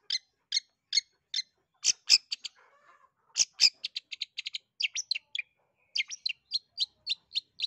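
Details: Long-tailed shrike in full song, used as a prompt for a reluctant bird: crisp high chips repeated in quick series, sudden harsh clicks, then fast rattling bursts and evenly spaced whistled notes.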